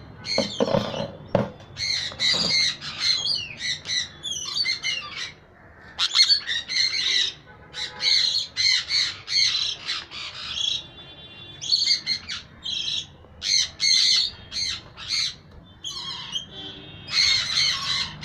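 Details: A female pied yellow sun conure gives loud, harsh, high-pitched squawks in repeated bursts.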